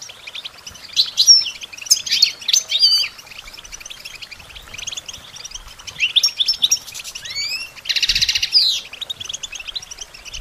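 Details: Songbird training recording of a European goldfinch: lively bursts of twittering and liquid trills separated by quieter pauses, with one harsh buzzy phrase near the end.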